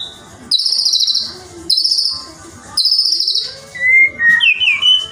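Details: Song of a white-rumped shama used to stir rival shamas into singing: three long rasping buzzy phrases, then rich fluting whistles gliding down and up in quick varied sequence.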